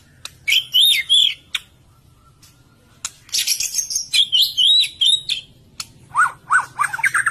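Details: White-rumped shama, used as a lure song to make other shamas more active, sings loud, varied whistled phrases in short bursts, with rapid warbled notes between brief pauses and a low background hum.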